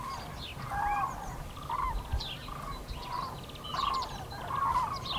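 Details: Common cranes flying over the Eifel region of Germany, 6 March 2018: repeated bugling calls in groups roughly every second, with fainter higher calls from more distant birds in the flock.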